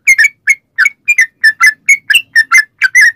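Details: Yellow-vented bulbul giving lively, rapid song used as a lure for other bulbuls: clear, bubbly, whistled chirps, often paired, repeated at a brisk, slightly irregular pace.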